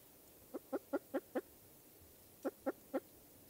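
A spruce grouse gives low, hollow clucks: five evenly spaced notes about a fifth of a second apart, a pause, then three more, over quiet background.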